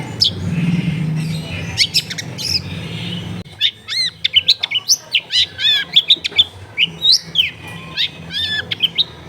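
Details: Long-tailed shrike singing vigorously, used as a lure for shrikes reluctant to sing, recorded at home among dense housing: fast run of varied chirps, chevron-shaped whistles and trills, with a low rumbling noise at the start.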